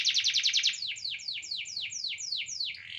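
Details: Rapid pulsed canary trill gives way to a steady sequence of slower, downward-slurred high notes repeated roughly every quarter second.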